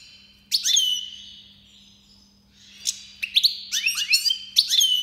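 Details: Goldfinch Major from Iran during the 2022 breeding season sings loud, tinkling twitters and rapid high chirps in clustered bursts over a faint steady low indoor hum.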